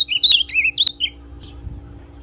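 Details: Brown-plumaged ultramarine grosbeak song used to excite another grosbeak: a brief burst of five or six sweet, slurred whistles, some dipping and rising, ending abruptly within a second and followed by near quiet.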